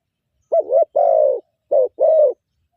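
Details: Spotted dove, a caged decoy bird used to lure wild doves, singing in the morning: four loud, low, hollow coos, the first two running together, then a short gap before two more, with nothing else heard.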